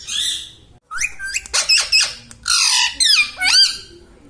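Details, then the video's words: Indoor pet Indian ringneck parakeet mimicking speech: a harsh, buzzy opening phrase, a brief gap, then several rapid squawky syllables and nasal word-like bursts in quick succession. "Mitthu Mitthu Bolne Wala Batuni Tota - Talking Parrot"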